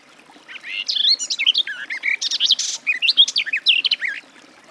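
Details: A continuous, even-paced garden warbler warble, full of rolling, slurred, mellow notes, rising from silence and running for about three and a half seconds.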